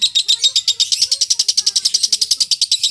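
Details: High, buzzy, rapidly repeated chatter from a lovebird used as a master recording for training contest singers. The notes pulse evenly, several per second, throughout the three seconds.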